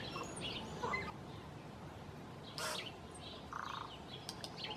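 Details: Tui, a native New Zealand bird, singing: a varied jumble of short whistled notes, sharp broadband clicks and a brief hoarse, buzzy note, spread irregularly over a steady background hiss.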